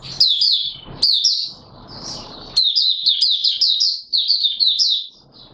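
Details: Oriental white-eye in open song, recorded 24 March 2022: rapid high twittering phrases of slurred, chirpy notes in quick runs, broken by short pauses with low background hiss.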